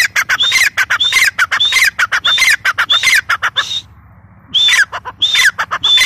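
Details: A female grey francolin repeats its piercing call: a high clear whistle leading into tumbling harsher notes, phrase after phrase at a fast even pace, with one brief pause near the end before calling again.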